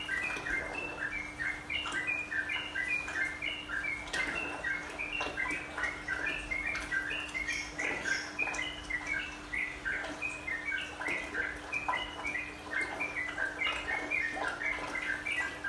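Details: Sooty-headed bulbul master song played with trickling water to calm caged birds. A long, busy stream of bubbly whistled notes, rising and falling almost without pause. Constant water patter and a faint hum sit behind it.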